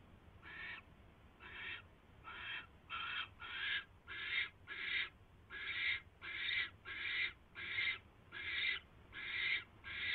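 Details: From a barn owl nest when a mouse is brought in, night of January 22, 2016: scattered rasping hisses that become steadier and louder, about fifteen in ten seconds.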